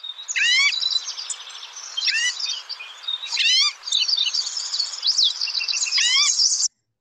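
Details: Green-tailed Towhee song at Lake Tahoe: high, jumbled trills and buzzes broken every second or two by sharply slurred, sweeping notes; its mewing sounds are very characteristic of the towhee.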